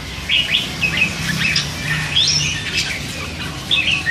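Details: Three-month-old hand-fed red-whiskered bulbul babbling; a near-continuous run of quick chirps and rising and falling whistled notes, loosely strung together with no set rhythm, in a quiet room.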